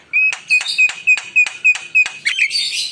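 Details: Javan myna giving a steady string of sharp, bright whistled notes, about four per second, ending in a rougher, noisy flourish.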